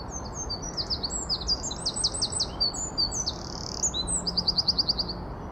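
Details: Song of a Eurasian wren (Troglodytes troglodytes): very high, rapid, varied notes tumbling together, a short buzzy trill mid-phrase and a closing run of evenly repeated ticking notes, above a soft low rumble.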